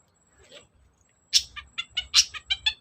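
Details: Long-tailed shrike singing as a lure for reluctant singers: faint quiet notes first, then a loud burst of sharp, ringing chirps and buzzy notes in quick sequence.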